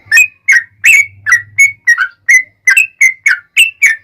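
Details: Yellow-vented bulbul singing lively, long rapid phrases intended to coax other bulbuls into answering: steady stream of bright, gurgling slurred whistles, some rising and some falling, with a faint low hum in the background.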